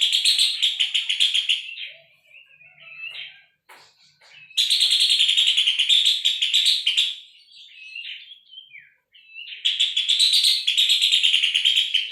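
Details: Puff-throated babbler singing, recorded for tutoring caged songbirds: three loud, rasping, rapidly pulsed chattering runs of about two seconds each, with quieter warbled and whistled fragments in the gaps.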